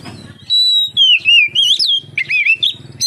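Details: Oriental magpie-robin song, intended to start other magpie-robins singing: a long flat whistle, then lower slurred notes climbing into a quick rising twist, followed by choppy warbled phrases.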